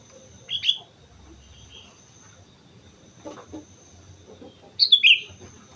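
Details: Sooty-headed bulbul in full song on Mount Slamet, giving a short liquid whistled phrase, a long pause with faint distant chatter, then a louder descending bubbly phrase near the end.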